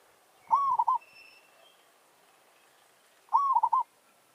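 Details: Zebra dove used as a decoy, singing a territorial challenge as a wild bird answers; two phrases of a rising mellow coo and rapid staccato notes, roughly 2.8 seconds apart, with a faint high whistle from another bird between them.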